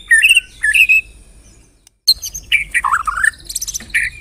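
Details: White-rumped shama lure song (pancingan) to make other shamas sing: two rich warbled phrases, a brief silence, then a tumbling burst of descending and rising slurred whistles and harsh high notes.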